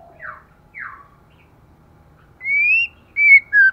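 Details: Moulting female white-rumped shama in intense song: two quick down-slurred whistles, a pause, then three longer clear whistles, the first rising, the last falling, over a quiet background.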